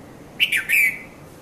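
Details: At Mount Lavinia, Sri Lanka, a red-vented bulbul (Konda Kurulla) gives a single quick three-part call at dawn, 5:30 to 5:40; the notes are sharp and chirpy, the final one longer and falling, with little else heard.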